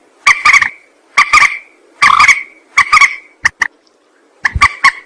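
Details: Rail calling, used to lure birds for trapping and shooting: harsh, stuttering bursts of rapid squawks in clusters, interspersed with short sharp clicks, repeated about once a second.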